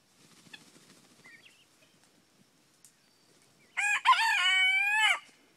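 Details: Frizzle Cochin bantam rooster, a young bird trying to keep up with the big roosters, giving a short squeaky crow of about a second and a half, thin and strained, after faint distant clucking.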